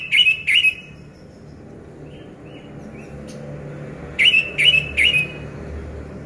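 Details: Orange-headed thrush, a caged bird, song played to coax silent birds into singing: two loud rippling whistled notes, a quiet gap with soft faint chirps, then three more of the same notes.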